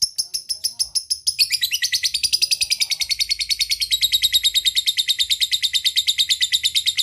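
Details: Lovebird calling companions with a fast chattering ngekek, a long steady run of rapid, high, scratchy chirps, about three per second, speeding slightly after the first second.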